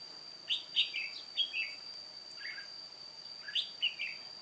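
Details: Old decoy red-whiskered bulbul, singing solo during trapping on 1 July 2018, gives repeated quick whistled phrases of three to four liquid notes with short pauses. A steady high whine runs throughout.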